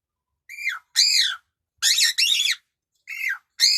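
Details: Cockatiel singing happily: loud, harsh, screeching whistled calls that rise then fall, given in pairs with short gaps, strident and ringing, indoors.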